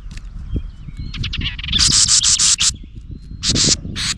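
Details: Near its nest, a house wren angered by a GoPro utters thin twitters and then loud harsh buzzing scold bursts in quick succession, over low rumbling background noise.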